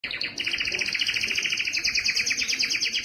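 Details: Canary song, strong and distinctive, played to stimulate males to sing: rapid continuous trilled rolls, high and bright, with repeated pulsed notes stacked in layers throughout.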